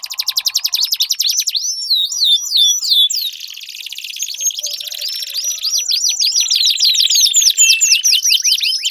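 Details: Canary song used to prompt a silent canary to sing: fast rolling trills of sweeping high notes, some buzzy passages, then a slower stretch before dense rapid repeated sweeps return.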